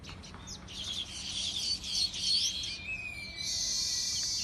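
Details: Birds chirping in a busy, overlapping chorus of high, rapid twittering notes, several per second, with a thin level whistle late on, followed by a steady high hiss.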